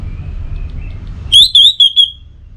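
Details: Short high whistled phrase from an Orange-headed thrush, four quick wavering notes following a faint background note and low rumble. Used as a morning and evening lure so other birds sing more.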